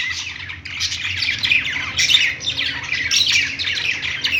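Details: Parakeets chirping on a perch in a pet store give bursts of scratchy, high warbling that swell and fade every second or so.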